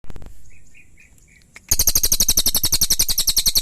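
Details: Pygmy tit (cililin) giving a loud, rapid run of harsh, high chattering notes, about eight per second for two seconds, after a quiet start with a few soft short whistles.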